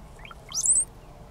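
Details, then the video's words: Springtime display call from a male brown-headed cowbird among three birds at Condie Nature Refuge, Saskatchewan, Canada, May 8, 2013. Quiet bubbly notes rise into a piercing, high-pitched whistled squeal lasting about a quarter second, over faint background hiss. "Cowbird call and display, springtime"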